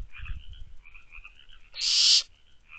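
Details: One loud, rasping hiss about half a second long from barn owl owlets in a nest box, shortly after midnight on 24 May 2023, with soft background trilling and low rumbles before it.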